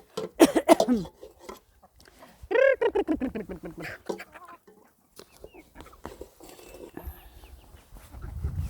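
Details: Chickens clucking in quick harmonic bursts, with a loud opening cluster and then a descending run of rapid clucks that fades into softer scattered sounds and low rumbling noise.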